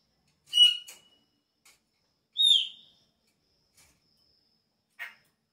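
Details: Chopi blackbird song at the start of the breeding season: a quick chattering burst with a short whistle, a louder sliding whistled note, then a soft buzzy call, with short pauses between.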